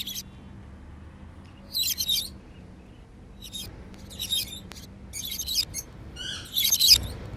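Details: Happy African lovebirds flying freely indoors; separate bursts of shrill, buzzy chirps spaced roughly a second apart, ending in a louder squeaky flurry, with a faint steady hum beneath.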